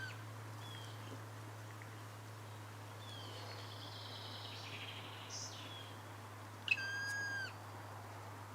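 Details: Black woodpecker in a French woodland along a long understorey forest track, after breeding and likely nesting there: a single drawn-out, plaintive ringing call near the end, falling slightly at its close, over faint distant birds and low hum.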